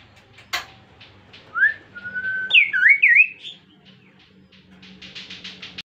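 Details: Kaso-kaso bird, an insect-eating bird, singing as a lure to draw song from other birds: a rising slurred whistle, a level drawn-out note, then a loud looping run of wavy whistles, followed by rhythmic pulsing chirps in the background.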